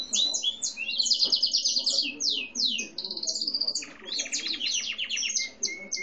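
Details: Grey-and-white canary of mixed breeding kept as a pet, with a papa-capim seedeater singing often nearby; bright, high rolling trills and buzzy sustained tours that switch pitch, then a lower, rapid chattering trill near the end.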